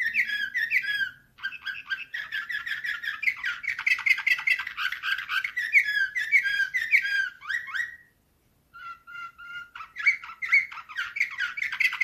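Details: Slavujar canary singing nightingale-like phrases in 2024. A loud, continuous torrent of trills and warbles ends in a falling whistle, then a pause, then pure repeated whistled notes and more rapid song.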